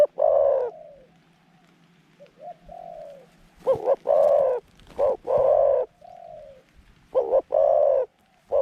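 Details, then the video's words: Middle-voiced decoy dove luring wild birds to a trap keeps up strong, throaty cooing: bursts of loud rounded coos broken by quieter sliding notes, with light clicks and a low hum in the background. "เสียงกลาง คูเก่งคูนานๆคับ"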